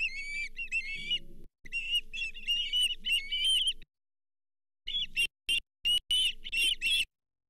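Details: Whistled, rising-falling osprey calls in quick series at the Charlo nest as a lake whitefish arrives, fifth fish delivered that day in July 2023; a pause, then sharp clipped bursts of chirps, over a low hum.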